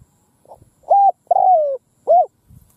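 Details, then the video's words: Spotted dove used as a ground decoy, cooing in the middle of a field to draw in wild doves; a short coo, a long descending coo and a final short coo, with faint rustling around. "Tiếng cu mồi đất gù gáy vang dội cánh đồng / Cu mồi đất gù phóng - Gáy chiêu Bổi giữa cánh đồng"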